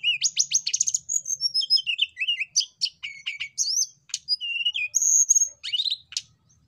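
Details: Hill blue flycatcher song for prompting birds to sing: a dense, fast stream of high chirps, trills and slurred whistles with buzzy accents, sung almost without pause.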